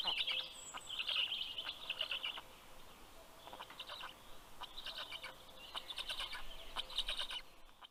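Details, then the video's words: At a Karula National Park nest in southern Estonia, black stork young beg noisily as the male arrives with fish, 11 June 2023, 11:00 am; hoarse, hissing calls pulse roughly once a second, a thin high whistle briefly heard. "Funny greeting sound by the Kids"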